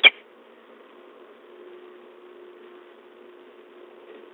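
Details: A sharp click opens, then only a steady low hum and faint background hiss continue, with no animal voice.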